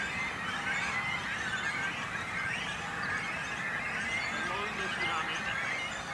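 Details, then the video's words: Nesting great cormorants and chicks on an islet in a small lake at Langedijk, Netherlands; constant overlapping squeals and rasping calls from many birds, swelling and easing slightly in waves. "Aalscholvers met jongen"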